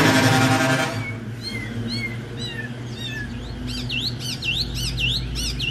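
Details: Caged Chinese hwamei that placed in the top 10 at Thanh Trì in 2019 sings after a second of loud broadband noise: scattered falling whistles, then rapid high repeated V-shaped notes.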